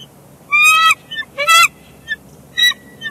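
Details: Pair of bald eagles at their nest at Big Bear Lake, calling to each other during a shift change: loud, harsh, rising chattering notes in bursts, several overlapping.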